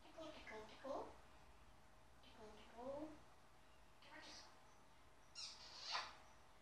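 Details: Pet African grey parrot mimicking human speech, saying "tickle tickle" and making a kiss sound indoors; several short voice-like phrases with speech-like pitch contours, ending in a sharp, high smacking kiss noise.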